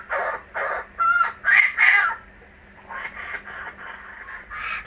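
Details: Several returning kookaburras give loud, harsh cackling bursts, a few ringing hoots among them, then the laughter drops to softer, quieter pulsed chuckles.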